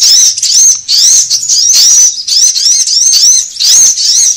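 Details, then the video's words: Sunbird lure sound for attracting birds and tutoring cage birds: short bursts of thin, rising, high chirps, each lasting about half a second, separated by tiny pauses. "SUARA PIKAT KOLIBRI AMPUH"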